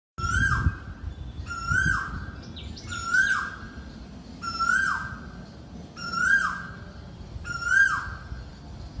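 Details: Asian koel calling: a loud, clear, ringing note that holds level, then lifts briefly and drops away, repeated steadily about every one and a half seconds, six calls in all, over faint low background rumble.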